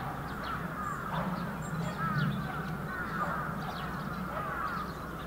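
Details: Bramblings in a large winter flock at Yoyogi Park, February 2019, giving a constant mass of overlapping short calls; a deeper droning noise from the surroundings runs beneath the chorus.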